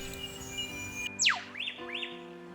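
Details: Eastern Whipbird pair duet on a sandstone coastal ridge near Lake Macquarie, Australia (one bird possibly young): the male's sharp whip-crack note sweeping steeply down, answered at once by the female's two quick upslurred chew notes, with soft music underneath.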